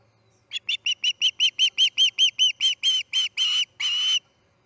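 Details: Osprey calling at the Charlo nest while a chick fledges, morning of August 10, 2018: a neat series of piping, whistled notes that speed up slightly and become longer and rougher toward the end.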